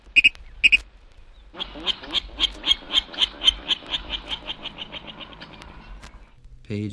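Virginia Rail: two sharp, high notes, then a rapid run of about a dozen clipped, grunting notes, roughly four a second, fading toward the end.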